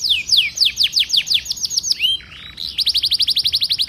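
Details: Canary song used as a lure to prompt a silent canary to start singing: a run of fast, high, downward-sweeping whistles, a brief slurred buzzy note, then a rapid, even trill of short bright notes.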